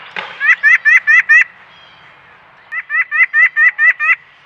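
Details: White-breasted Nuthatch giving its typical call at a backyard peanut feeder, recorded by trail camera: nasal, rapidly repeated notes in two runs of about five and eight, roughly six per second, over faint background hiss.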